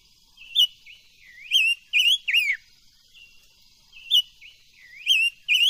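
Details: Silver-eared mesia kept as an ornamental bird, singing to train its voice: two bouts of rich whistled phrases, each a rising, dipping and falling run of four or five notes, separated by a short pause.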